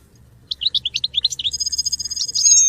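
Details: Goldfinch song for training: a run of quick descending chirped notes leading into a sustained high, ringing twitter that builds in loudness, with a faint low hum underneath.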